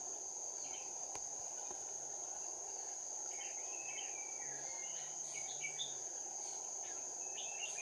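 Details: Red-whiskered bulbul used as a lure bird for trapping, recorded 16 January 2019: short whistled, warbling notes scattered through the middle and end, over a steady high-pitched insect drone that dominates the background.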